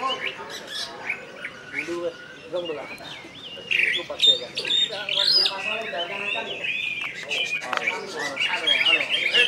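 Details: Greater green leafbird, Kalbar (West Kalimantan) type, in 'gacor' song with 'nembak' and 'ngentrok' parts. Varied loud whistles sliding up and down, mixed with squawky chatter, while people talk in the background.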